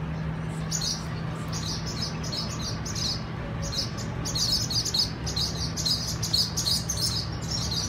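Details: Swallows at a crowded nesting colony: dense bursts of sharp, high twittering chirps from many birds, coming in clusters that grow busier toward the end, over a steady low hum.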